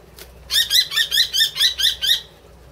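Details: Common kestrel, a rescued bird taken in at Kichijoji in 2013 and kept at Tama Zoo, recorded in April 2016: a quick series of seven sharp, high, repeated kee notes over under two seconds, then quiet.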